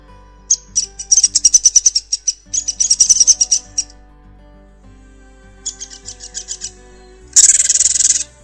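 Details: A Downy Woodpecker, apparently in a backyard in Poughkeepsie, New York, gives its distinctive call: quick runs of high, sharp chattering notes in several bursts of a second or two, with faint low tones humming underneath.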